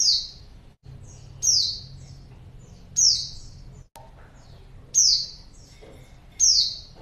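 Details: Female white-eye luring a male: a series of high, sliding, slightly buzzy chirps repeated every one to one and a half seconds, with faint softer notes and brief clicks between.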